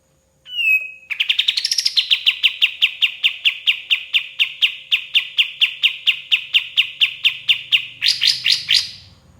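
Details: Song of a White-shouldered triller serving as a training master for songbirds: one brief whistle leads into a steady string of crisp, evenly spaced chips, roughly four each second, ending in a brighter, rougher flurry; quiet hum underneath.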